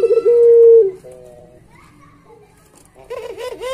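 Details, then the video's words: Puter pelung, the Barbary dove, on a master recording for pet dove training: one clear sustained low coo, then quiet faint tones and a closing run of wavering, looping notes. "Suara Masteran Puter Pelung Gacor Paling Bagus"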